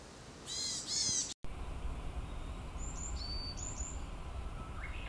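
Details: A Varied tit (Parus varius) on Mount Tsukuba or in Moriya City, Ibaraki, Japan, gives a loud, nasal, buzzy call of about half a second, then a few faint, thin, high whistles over low background noise.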